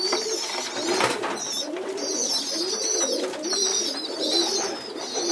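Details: Pigeon youngsters moved onto a loft floor for group feeding give high squeaky begging calls in bursts, with louder low cooing and a sharp rustle near the start.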